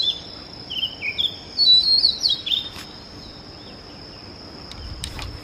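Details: Oriental magpie-robin singing at dawn: a short burst of quick whistled and warbled notes for about three seconds, then quiet, while a steady high continuous buzz like an insect runs throughout, with a few clicks.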